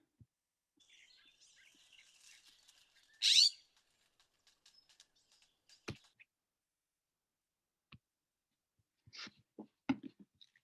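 A California scrub jay gives one loud, harsh, raspy squawk, lasting under half a second. Faint twittering comes before it, and scattered clicks and knocks follow.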